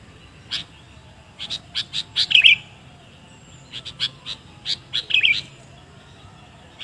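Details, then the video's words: Sooty-headed bulbul lure sound: quick sharp chirps in loose groups of four to six, each group ending in a louder, fuller warbled note, over faint background hiss. "KOMPILASI PIKAT KUTILANG SUPER"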